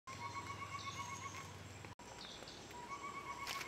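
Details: Collared owlet (Taenioptynx brodiei), active at this season, giving a quick, even run of short, mellow whistled hoots, about four per second, over a low steady hum.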